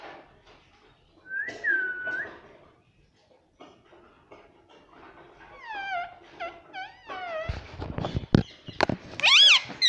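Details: Pet parrot vocalising indoors: a drawn-out nasal whistled note, then a run of short descending whistled chirps, ending in loud sharp shrieks amid clicks and knocking.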